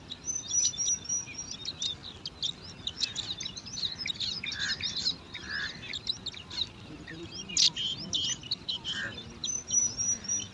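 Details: Five bar-winged prinia chicks competing for food at their nest in alang-alang grass, giving dense, overlapping high thin chirps and squeaks that run continuously, with a few brief thin whistled notes near the start and end.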